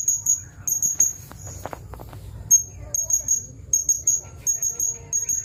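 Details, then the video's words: Blue-crowned hanging parrot, recorded as sharp tutor song for training white-rumped shamas: very high, thin, piercing notes in quick bursts of two to four, repeated about every second, with faint lower chirps and soft rustling underneath. "Suara Burung SERINDIT, masteran tajam cocok untuk Murai batu"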